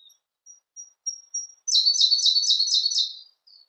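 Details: Siberian blue robin song: four or five soft, thin, high introductory notes spaced evenly, then a loud rapid trill of about six repeated sharp, descending phrases, ending with one faint note.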